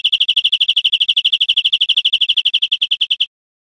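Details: European Greenfinch song recorded in Spain in 2013, a rapid, even trill of sharp repeated notes, about eight per second, holding one high pitch for over three seconds before stopping abruptly.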